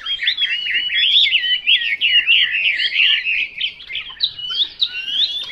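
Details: Chinese hwamei pouring out a clear whistled song of quick looping, curling notes strung together in rapid succession, continuous and lively, with brief pauses near the end.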